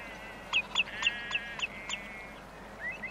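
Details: Common redshank display: a series of six fairly evenly spaced, sharp piping notes about every quarter second over a soft whistled tone, ending with a couple of faint rising notes; skylark and sheep distant, insects nearby.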